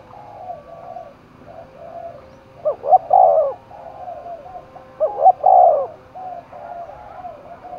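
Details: Spotted dove cooing in a contest setting in Dong Nai, Vietnam; two loud three-part coos stand over a steady chorus of fainter coos from other doves.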